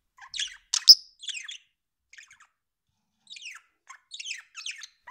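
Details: Pet budgerigar, described as beloved and funny, making scattered soft chirps and chattering warble notes, with one sharp louder squeak near the start and quiet gaps between phrases.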